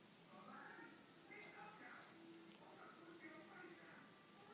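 Budgerigars chatter softly in a rambling, warbled stream of squeaky, speech-like notes.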